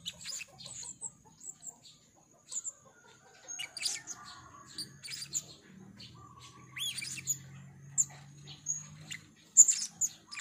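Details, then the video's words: Scattered, needle-thin high chips and a few rising squeaks from a 'rintik merah' blue-crowned hanging parrot in gocor calling, spaced irregularly over a droning low hum. "serindit rintik merah gocor"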